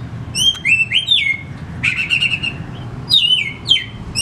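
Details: Lure song of an oriental magpie-robin for coaxing quiet birds to sing: bright whistled notes gliding downward, a buzzy trilled passage in the middle, then more sweet slurred whistles.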